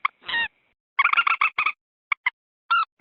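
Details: Edited lure recording of a common moorhen, used to draw wild moorhens near marshes or rice fields: a rasping opener, a quick cackling run of about eight notes, then three short separate clucks.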